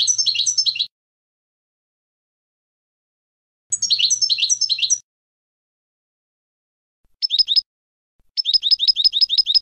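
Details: European goldfinch clean competition song for educating novice birds: rich, jangling twittered phrases alternate with pauses, then crisp fast runs of identical sharp chirps; a faint low hum accompanies some phrases.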